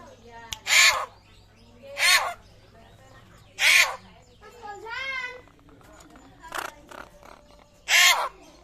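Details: Papuan butcherbird, rare, whose voice sounds like a bird of prey, utters loud rasping calls about every one and a half seconds, interrupted midway by a wavering, warbled note and a few quieter chips.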